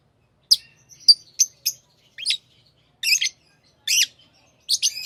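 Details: Pet lovebirds making sharp, high chirps, first thin and spaced, then fuller doubled chirps near the end.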